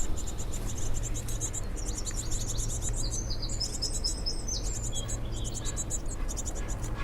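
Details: A great tit popping in and out of a hibernaculum in a wildlife garden gives rapid, high, thin chirps in quick bursts and short runs over a steady low rumble.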